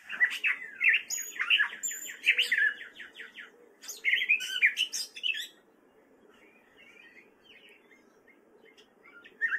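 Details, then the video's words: Male gray catbird singing in spring in Fairfield, Iowa, a wary bird: about five seconds of rapid, jumbled squeaky and warbled phrases, then near silence with a few faint notes, over a low steady hum. "Songbirds - Gray Catbird"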